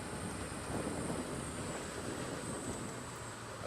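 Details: Loud, steady broadband wind and vehicle rumble with no distinct calls.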